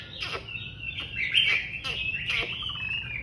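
A Chinese hwamei sings loudly in a continuous, varied run of rich whistled phrases with quick slurred sweeps and sharp accents, and no other sounds.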